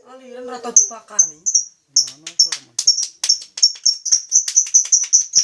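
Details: Lovebird call sequence: after brief low voice-like sounds, a long run of quick, sharp, shrill chirps at a steady, rapid pace.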